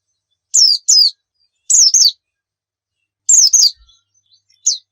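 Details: Javan white-eye lure recording for training caged birds: sparse pairs of high, sharp downslurred chirps, spaced about a second apart, with quiet between them.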